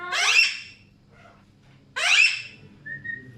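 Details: Two loud, harsh, descending screeches from Alexandrine parakeets about two seconds apart, followed by a short thin whistled note, in a quiet room.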